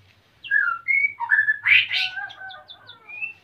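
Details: Male white-rumped shama in breeding condition wanting to mate, captive-bred at Salaman, Magelang, Central Java, while the female is busy building a nest; varied clear whistled phrases, rising and falling, with a few short buzzy bursts and high chips.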